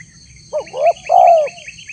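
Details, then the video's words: Spotted dove lure call used to draw a response from wild doves: a short two-part coo, a brief rising note followed by a longer, smooth, low hooting note, with a steady high hum in the background. "suara tekukur PALING DI CARI untuk memancing respon tekukur liar"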